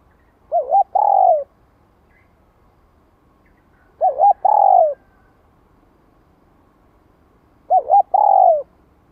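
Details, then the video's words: Three cooing phrases from a spotted dove lure for training wild-caught birds, '2 hậu lỡ' style, repeated roughly every three and a half seconds. Each is a wavering short note and then a longer downward-sliding coo. "Tiếng cu gáy kích mồi tập bổi 2 hậu lỡ"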